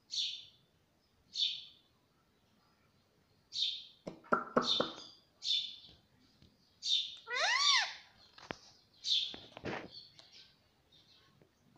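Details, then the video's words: Pet rose-ringed parakeet talking, saying "mummy papa": short high squawky calls repeated every second or two, broken by throaty speech-like syllables with rising and falling tones, in a quiet room. "मम्मी - पापा बोलने वाला तोता"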